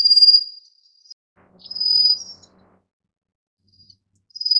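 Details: Rufous-faced warbler calls: three sharp, very high, fizzing trills, each roughly half a second long, separated by short pauses, with a faint low murmur beneath the middle one.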